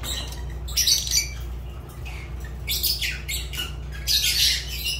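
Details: Pet Fischer's lovebird producing loud, grating, high-pitched squawks in irregular bursts of about half a second, several in quick succession, set against a steady low hum indoors.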